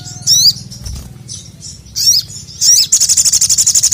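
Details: Crimson sunbird (sogok ontong) calling the male as tutor audio: separate high metallic twitter bursts, then a fast, even trill of tiny high notes to the end.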